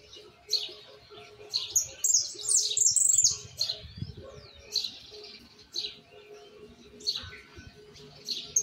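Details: Argentine white goldfinch, a young bird still working on its song, delivers high, sharp twittering phrases and quick trilled bursts in irregular spurts, separated by short pauses, with a steady low background hum.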